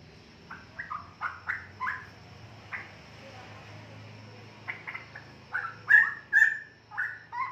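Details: One of a 4.5-month-old straw-headed bulbul pair (suspected male and female) from wild parents, actively learning song, gives short mellow whistled notes swelling into louder gurgling phrases over a low indoor hum.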